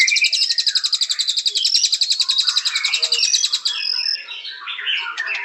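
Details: White-rumped shama pouring out a long, very fast high chattering trill, followed by softer varied warbles and whistled phrases.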